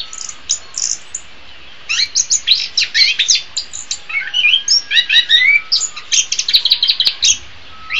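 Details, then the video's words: Orange-headed thrush singing, a recording meant for training songbirds in the morning or afternoon: dense, varied, rapid high chirps and whistled notes in bursts, with a brief pause near two seconds, then continuous twittering phrases. "Masteran Terbaik Anis Kembang"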